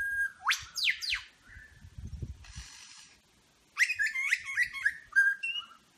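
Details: Superb lyrebird mimicking other birds in Berowra Valley National Park: two loud whip-like descending sweeps, then a soft rattling hiss with low thumps, then a tumbling series of whistled and warbled notes.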